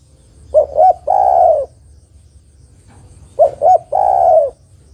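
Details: Female spotted dove calling a male. Two identical phrases, each two clipped hoots and a long purring coo, come about two and a half seconds apart over low background hum.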